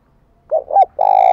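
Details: Decoy spotted dove calling to attract wild doves: a single low cooing phrase of two brief hooting notes and then a sustained, even coo ending in a slight downward slur.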